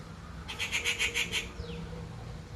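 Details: Rufous Treepie in India giving a harsh screech: a rapid series of about six grating pulses over one second, then a brief falling note, against a humming background.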